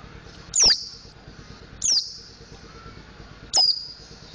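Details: A mountain white-eye rehearsing the ngriwik and ngeplong song gives three loud, shrill, falling chirps with buzzy trails, spaced over a second apart, with steady low hum.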